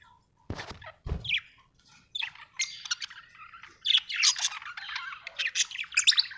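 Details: Happy budgie chirping in a continuous scratchy warble of rapid high chirps and squawks, growing denser toward the end, after two opening knocks.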